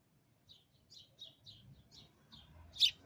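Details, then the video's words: Sparrow by a window giving a series of soft, short downward chirps at a steady pace, ending in one loud, sharp chip, against quiet low background rumble. "Bird Singing outside window upclose #Sparrows"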